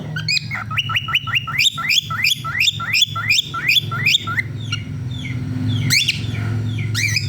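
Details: Male cockatiels sing actively in cold weather, a rapid run of bright, rising whistled chirps over a low steady hum.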